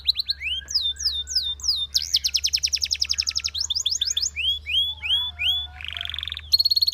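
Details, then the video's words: Singing Belgian canary, meant for training canaries: rising whistled notes repeated in series, a long fast trill, downward-curving slurs and a buzzy roll before a final rapid burst, low steady hum beneath. "Belgian Canary Singing That Boosts Canary Confidence"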